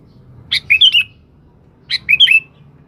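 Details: Sooty-headed bulbul calling a rival, used as a lure: two short bursts of bubbly, liquid whistled notes, each phrase of three or four quick rising and falling syllables, separated by about a second of quiet.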